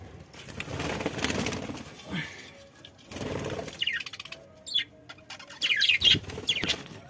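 A budgerigar gives short, bright warbling chirps after bursts of fluttering wings.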